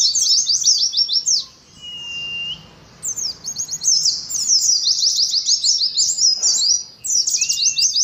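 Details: Ngalas song of an Oriental white-eye. Bursts of rapid, high, buzzing twitters are separated by short silences, with a couple of brief level whistles between phrases.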